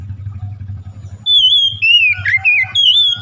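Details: Oriental magpie-robin song for prompting a hesitant bird to sing: a low engine-like hum runs throughout, with clear, loud whistled notes entering midway as a rich warbling series of slurred phrases.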